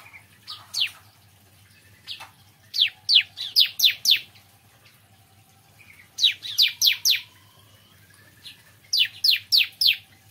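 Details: In the morning a bar-winged prinia sings three separate bursts of four to five sharp, high notes, each falling in pitch, with quiet gaps and a few faint chirps between; low hum behind.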